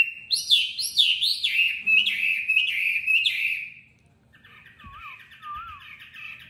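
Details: Caged tame Chinese hwamei in Hanoi, Vietnam, in fighting song with fast beak speed: looping whistled notes repeated several times a second, then a quieter wavering whistle after a pause.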